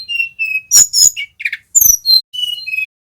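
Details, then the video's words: Little pied flycatcher, a young male learning to trill, used to lure and teach other birds: level thin whistles alternating with sharp clicking bursts, about eight notes in three seconds. "TLEDEKAN GUNUNG BELAJAR BUNYI NGEROLL"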